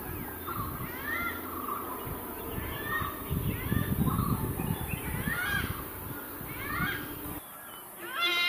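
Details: Malabar grey hornbill calling its mate, giving a run of squeaky, arched notes repeated about once every half second, some in short clusters, over steady low rumbling background noise.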